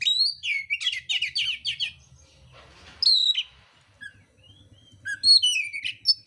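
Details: Oriental magpie-robin singing aggressively with coarse fill phrases: an opening rapid string of buzzy chattering notes, a single loud falling whistle, then scattered thin notes and a closing burst of high squeaky slurs over a faint hum.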